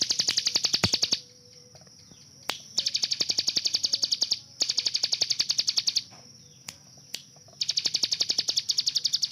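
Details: Hill prinia master bird with a rapid, AK-47-like 'tembakan'. Four strong bursts of very fast, high, ringing notes are separated by short gaps. Loud clicks punctuate the sequence.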